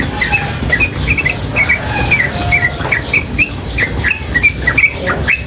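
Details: Female sooty-headed bulbul with water sounds: rapid bright chirps in a lively, continuous stream, a few lower whistled notes between, over rushing water.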